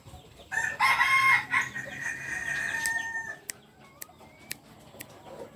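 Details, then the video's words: Kukuak Balenggek rooster of the biriang kuniang type, a purebred from Solok, West Sumatra, giving a harmonic crow of about two and a half seconds, broken into rising and falling parts, followed by sharp chirps and clicks from other birds nearby. "Biriang kuniang Ayam kukuak balenggek asli Solok Sumbar"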